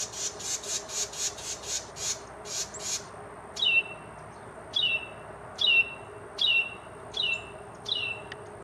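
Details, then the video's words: A Carolina wren, flapping and wiggling as it calls and sings, gives about eight harsh, rasping chatter notes, then six loud ringing phrases roughly one per second, over a faint steady high hiss. "A Very Opinionated Carolina Wren"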